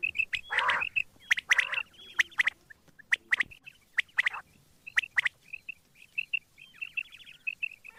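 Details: Quail calling in the morning: sharp, clipped high notes come in quick irregular bursts about once a second. Short rattling trills and a few harsher, broader squawking notes are mixed in, with a faint low rumble underneath.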